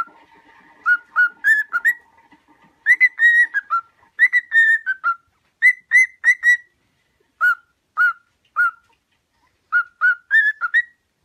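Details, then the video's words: Trained-singing cockatiel audio: bursts of short clear whistles, some level and some rising, grouped in quick runs with short gaps, in a quiet background. "Aprenda Como Ensinar a Calopsita a Cantar"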